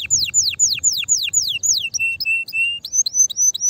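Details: Canary singing to prompt other canaries to sing: spaced descending whistles, then a few flat steady tones, then short rising upslurred notes, all high and clear.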